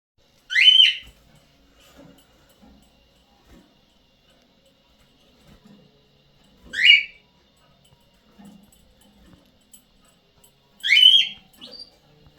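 A cockatiel gives loud, shrill, upward-sweeping whistled calls, spaced several seconds apart.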